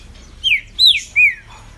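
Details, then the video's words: Caged green-winged saltator in Brazil singing the fast ligeirinho song style for its owner during the 2020 tournament season: three loud, clear slurred whistles, each dropping in pitch, spaced about a third of a second apart. "Trinca Ferro Ligeirinho"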